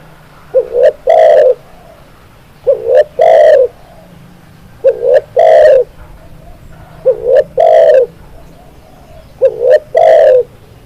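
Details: Spotted dove (tekukur) cooing loudly; five phrases roughly every two seconds, each a short low rising note, a brief higher note, then a long, full, slightly wavering coo. Steady faint low hum in the background.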